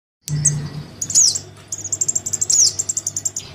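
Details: Crimson sunbird chick calling its parent, used as a lure to bring wild sunbirds down: very high thin rapid ticking trills alternating with sharp descending squeaky notes, steady low hum beneath.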